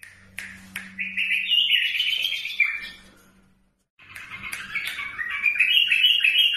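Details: Iraqi bulbul song with fast, fluid warbling that rises and falls, two bursts of rapid melodious chatter split by a brief gap, a faint low hum underneath.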